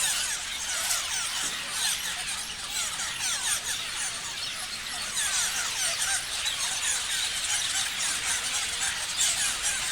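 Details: Many parrots chirping together, a steady, crowded chorus of shrill, scratchy chirps and quick sliding squeaks that runs unbroken throughout.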